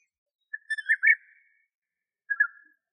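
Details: European bee-eater pair, male and female, singing in Greek nature: a few short liquid rolling whistled notes around a single pitch, clustered in two brief bursts with silence between.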